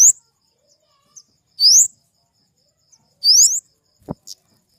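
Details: Flowerpecker, a Dicaeidae bird, giving sharp, thin upslurred whistles about every one and a half seconds, with soft ticks between them and a brief dull knock near the end.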